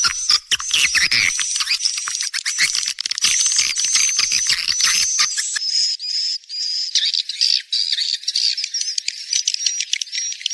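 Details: Rainy-season mating lure call of swiftlets: a dense, continuous high buzzy twittering with a steady thin whistle running through it, and quick clicking ticks in the first half.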